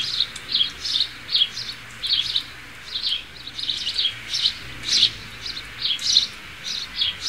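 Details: Sparrow chirping steadily: short, high, slightly rough chirps repeated several times a second in loose clusters over a low murmur of background noise.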